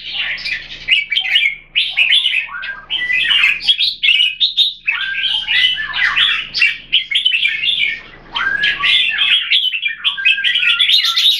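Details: Two caged Red-whiskered Bulbuls, Singapore-kept, pitted against each other, pour out a long, energetic stream of varied chirps, rolling warbles and sharp whistled notes. Phrases follow in quick succession with brief gaps, the delivery busy and continuous throughout.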